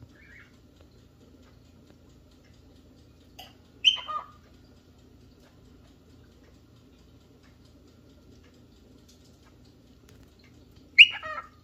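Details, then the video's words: Cockatiel seeking a partner or playmate gives two brief, harsh descending squawks several seconds apart, with a faint chirp at the start and quiet between calls. "Cockatail looking for a playmates"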